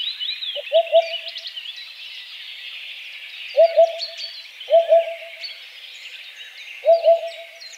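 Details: Low, muffled triple hoots of a Eurasian Hoopoe recur four times, gaps irregular, beneath a constant wash of high, twittering birdsong.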